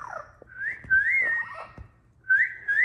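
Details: Pet Amazon parrot indoors, happy at being let out and calling the household cat, gives clear whistled phrases that slide upward and waver, a long one in the middle and two shorter rising whistles at the end, in a quiet room.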